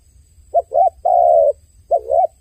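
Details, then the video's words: Close, crying dove: a short clipped coo, a dipping wavering note, then one long level coo, and another dipping note begins the next phrase. "The sound of a dove crying សំឡេងសត្វលលកយំ"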